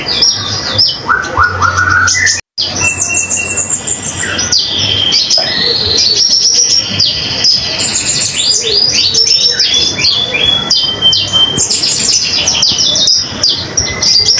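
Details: Long varied song of a common iora in full voice, used as tutor material for other songbirds: lower falling notes early, then dense high sweeps and short clear whistles, with one brief silent break and a faint hum.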